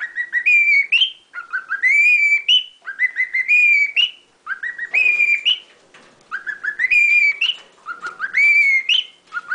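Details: Tame lutino cockatiel whistling La Cucaracha: a series of bright, pure whistled phrases, each climbing then holding steady, about six phrases with short gaps between them.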